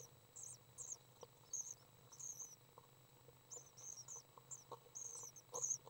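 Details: Young common swifts, three chicks seen during a feeding session on May 30th 2012, uttering brief high-pitched buzzy chirps in scattered clusters over a quiet low hum, with occasional soft clicks.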